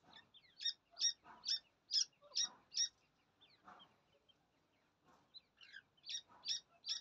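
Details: Francolin chicks playing together give high, thin peeps, about two per second, in two runs separated by a short pause, with softer twittering between them.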